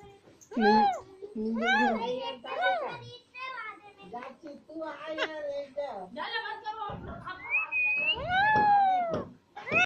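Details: Two green pet Alexandrine parakeets chattering and talking: a loud run of speech-like harmonic phrases, squeaky rising and falling syllables and a few drawn-out whistled tones, nearly continuous for ten seconds.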